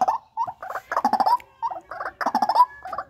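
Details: White-breasted waterhen in a breeding enclosure uttering dense runs of harsh, croaking notes with a wavering, nasal quality, broken by one short pause.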